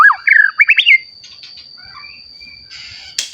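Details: Recently matured white-rumped shama singing to provoke other shamas; a loud quick phrase of rising and falling whistles, then quieter notes and a short buzzy burst, over a steady high hum.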